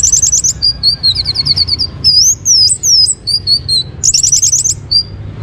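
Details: Geokichla citrina, the orange-headed thrush, in full varied song meant to prompt other birds to sing: fast high trilled runs, looping slurred whistles and chattering phrases in quick bursts with brief pauses, over a soft low rumble.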